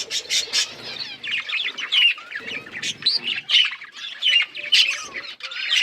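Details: Breeding budgerigars chirping as a group: busy, high, squeaky warbling with short whistled notes and harsh chatter, overlapping callers and an occasional low rustle.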